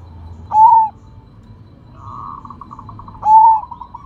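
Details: Zebra dove of the Sumbawa type, described as rare and in full loud voice, sings two strong slurred coos about three seconds apart, linked by a soft, fast quavering trill of staccato notes.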